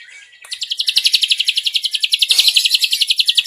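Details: Ashy drongo in a sustained cililin trill, a rapid chattering series of high, bright notes, about nine per second, starting half a second in and running unbroken to the end, with a few faint clicks beneath.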